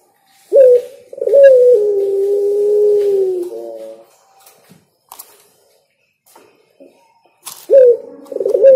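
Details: Spotted dove, a singing pet bird, gives soft, low cooing notes: a short rising coo, then a long drawn, slightly falling coo with a trailing flourish, repeated after a pause.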